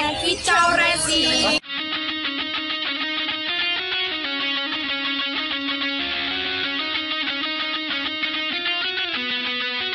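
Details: Electric guitar music plays throughout, with a brief burst of other sound at the start and no animal voice heard.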